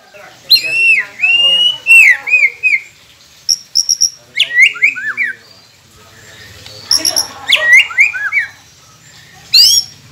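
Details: White-rumped shama song used as a training recording to prompt quiet captive birds to sing: varied loud whistled phrases, downslurred notes near mid pitch mixed with sharp high chips and rattles, in bursts separated by short pauses.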